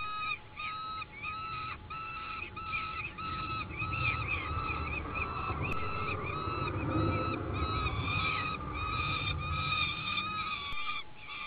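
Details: Peregrine falcon chicks being fed on a nest platform in an oak give harsh, wailing begging cries, several overlapping calls repeated about every second, over a low rumble of wind.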